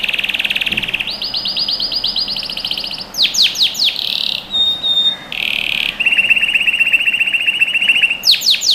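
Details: A canary sings in a training recording for young birds, moving from a buzzy roll to rising repeated notes, sharp downslurs, a pure high whistle, a low steady trill, and more downslurs.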